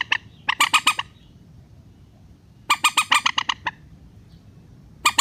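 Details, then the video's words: Relaxed-style rail lure for netting birds: two dense bursts of rough, rasping squawks, each of several quick notes, with a near-silent gap between them and a low background hum. "PIKAT BURUNG MANDAR SUARA SANTAI"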